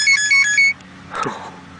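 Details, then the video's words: A myna imitates a cell phone, giving three quick, bright electronic trills like a ringtone, followed by a brief scratchy rustle. "Mynah Bird Imitates Cell Phone Sounds"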